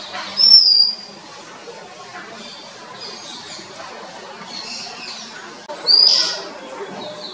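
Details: Oriental magpie-robin, Sri Lanka, captured on a Nikon COOLPIX P1000: two separate bright whistled notes about five seconds apart, each short and slightly rising then falling, with faint hiss and scattered soft sounds between.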